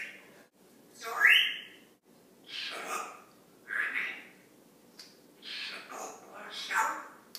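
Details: Indoor Congo African grey parrot, around four years of age, talking in quick chirpy bursts, one loud shrill squawk-like phrase early on, then several breathy word-like utterances spaced roughly a second apart.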